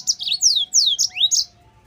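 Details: Yellow-fronted canary tutor song for teaching other canaries, a quick string of sweeping, slurred whistles that swoop downward and then rise again, very high and clear, lasting barely over a second.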